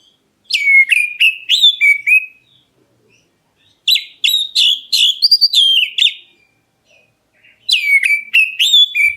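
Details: Black-breasted Oriental magpie-robin calling to prompt other birds to respond. Three bursts of rapid whistled notes, each about one and a half seconds long, are separated by short silences. The notes alternate between downward swoops and brighter rising whistles.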